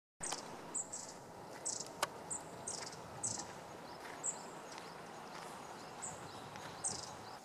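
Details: Long-tailed tit (Aegithalos caudatus), recorded 8 March 2016, giving thin, very high-pitched notes about once a second over a steady hiss of background noise.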